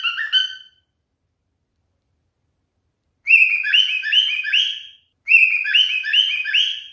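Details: Male cockatiel showing mating behaviour gives short bursts of chattering, rising whistled notes, separated by silent pauses of a couple of seconds.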